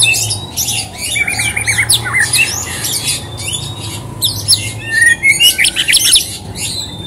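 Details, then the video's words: Dense, busy white-rumped shama song used to prompt other birds to sing: continuous high, scratchy chattering and trilled runs with occasional clearer whistled notes, barely pausing throughout. "Murai batu Gacor pancingan cepat bunyi"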